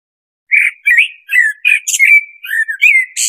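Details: Blackbird song after a brief silence: a steady string of short, mellow, fluty warbles, some sliding up or down, broken by thin high squeaks and ending on a hissy, scratchy note.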